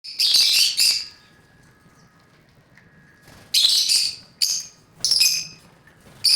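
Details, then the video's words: Caged lovebirds playing, giving loud, harsh, shrill screeching bursts: one long burst at the start, then a quieter stretch with a faint thin tone, then a cluster of three or four screechy bursts. "Birds are playing in cage | lovebird"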